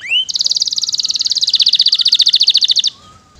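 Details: Canary in vigorous song: a brief rising whistle, then a long, very rapid and even rattling trill of high notes lasting about two and a half seconds before stopping abruptly into quiet.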